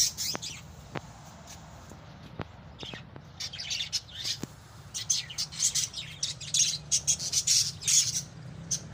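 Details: Several pet lovebirds: a few scattered clicks and chirps at first, then a dense run of shrill, squeaky twittering in the second half, with a faint low hum beneath.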